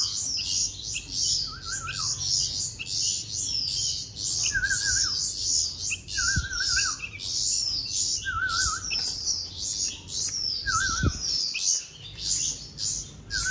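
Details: Baby bulbuls being hand-fed give dense, high, scratchy chirps in rapid overlapping bursts with no break. A lower, wavering zigzag note comes in about every two seconds, and there are a few soft taps.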